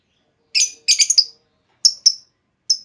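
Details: Female lovebird lure call to provoke long trilling in another lovebird: a quick cluster of sharp, high chirps followed by spaced single piercing notes.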